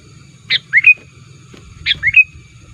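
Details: Sooty-headed bulbul lure call: two matching phrases, each a sharp note followed by a rising, liquid whistle, about 1.3 seconds apart.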